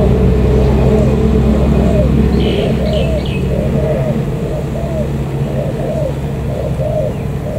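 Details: Newly caught wild native spotted dove from the An Giang border gate area, Vietnam, cooing in a steady series of short arched low notes, about two a second, over loud engine rumble and faint higher bird chirps.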